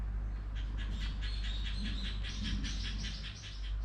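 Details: Rapid, high twittering chirps from a bird repeat almost without pause over several seconds. A faint low rumble and a steady hum sit in the background.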